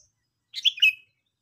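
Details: Sooty-headed bulbul giving a single short call: two quick bright chirpy notes, the second slurring downward, with nothing else audible.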